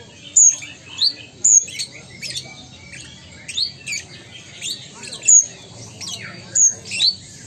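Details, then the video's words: Ruby-cheeked sunbird from Sumatra, a kept songbird singing actively, gives very high, thin, sharp notes: quick downward-slurred whistles alternating with short rising strokes, about eight bursts in seven seconds with brief pauses between. "Konin Gacor Kolibri Ninja Asli Sumatera"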